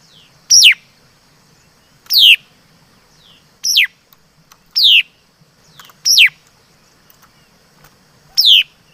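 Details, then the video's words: Song of a laughingthrush known in Vietnam as chim mi đất: six piercing, steeply falling whistled notes, spaced roughly one to two seconds apart, each brief and bright, over a quiet low background hum. "Suab Noog Ncuas Quaj Zoo || Tiếng Chim Mi Đất Hót Chuẩn"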